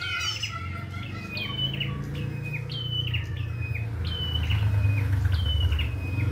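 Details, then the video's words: Wild prinia chattering a rapid series of stepped high chirps, partly masked by a loud steady low-pitched hum throughout. "PRENJAK KEPALA MERAH GOCOR FULL ISIAN"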